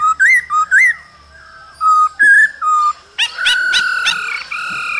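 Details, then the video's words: Male laughingthrush song with female calls during the cold season; looping whistled notes and short level whistles, then a burst of dense, harsher layered calling. "Khướu trống hót múa kèm tiếng mái ro kích bổi mùa lạnh"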